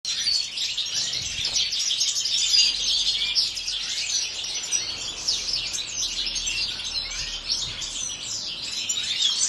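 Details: European goldfinches kept in an aviary, a dense chorus of many birds: continuous overlapping high twittering and tinkling chirps with fast buzzy trills, no pauses throughout.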